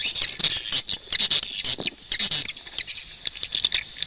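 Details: High, squeaky swiftlet chirps in quick choppy bursts, about three or four a second, trailing into a looser series of short clicks.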